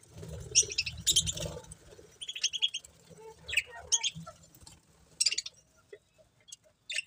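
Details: Budgerigars chirping: scattered short, high, scratchy chirps and twitters come in brief bursts separated by quiet gaps, with a faint low rumble in the background.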